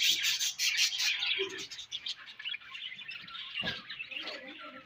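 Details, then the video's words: Budgies eating and chirping, a rapid high twittering chatter with quick repeated clicks at the start, softening into looser warbles and squeaks, plus one low thump. "𝑪𝒖𝒕𝒆 𝑩𝒖𝒅𝒈𝒊𝒆𝒔' 𝑪𝒉𝒊𝒓𝒑𝒊𝒏𝒈 𝑺𝒐𝒖𝒏𝒅𝒔 𝑾𝒉𝒊𝒍𝒆 𝑬𝒂𝒕𝒊𝒏𝒈"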